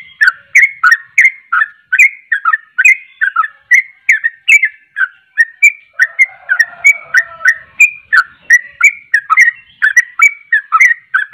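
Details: Energetic sooty-headed bulbul song, used to stir up other bulbuls, pours out as quick chirpy whistles that slur downward, repeated almost without pause, with a few longer flat whistles near the middle, clean and close.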